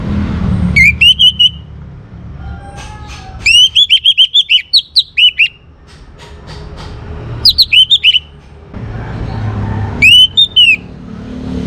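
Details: Young orange-headed thrush of North Bali, Singaraja, in full song to stimulate other birds: four phrases of loud, clear, looping whistles, the second long and rapid with a dozen notes, over low background rumble.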